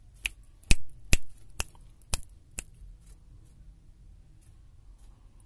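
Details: Sharp clicks and taps sound six times in a quiet small room, then fade, with no animal sound.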